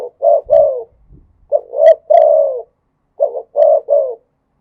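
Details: Spotted dove from Thailand performing khat and nun style cooing: three phrases of short paired coos ending in a long falling note, with a brief soft thump between the first two.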